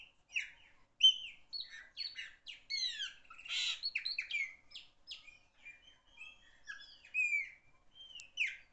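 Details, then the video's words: Chopi blackbird song: a steady stream of sharp whistles, downslurred notes and clicking chatter, packed densely through the middle and looser toward the end, with no background noise. "Black bird song, beautiful bird song"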